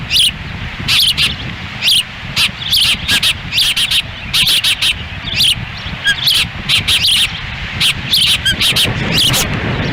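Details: Ospreys at a nest in Lolo, Montana, June 10, 2017, during a difficult feeding in strong wind, the male standing near the female; shrill whistled chips repeat rapidly in clustered runs, with rumbling wind beneath.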